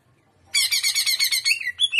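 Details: Greater green leafbird singing shrimp style: after a brief silence, a loud, fast series of harsh, rich pulsed notes, about eight per second, closing with a thin whistled slur.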